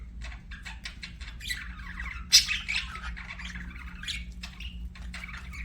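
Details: Softer budgerigar chatter of short clicking chirps and thin warbles, with one sharp loud squeak midway, set against a noticeable low-frequency hum.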